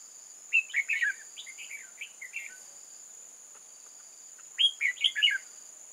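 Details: Red-whiskered bulbul at a trap site in old forest, 8 October 2018, sings lively chattering phrases of quick, slurred, warbling notes, first in a cluster then repeated after a pause, above a steady piercing insect drone.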